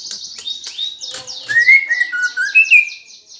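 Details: Fighting song in gereja style by a greater green leafbird, intended to provoke contest birds. High falling notes repeat quickly while loud rising-and-falling slurred whistles cut through, followed by more descending high sweeps.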